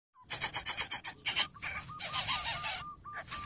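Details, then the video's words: Coucal chicks in a wild nest, noisy as the parent brings large food they will not eat: harsh, raspy hissing bursts in a fast run, then longer rough bursts, with a short clear whistled note repeating in the background. "INDUK BURUNG BUTBUT MEMBUNGKAM ANAKNYA YANG BERISIK"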